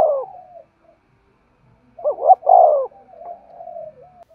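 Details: Spotted dove cooing used to excite decoy birds: a fading note, a pause, then a bold double coo with a long final note and soft trailing hoots.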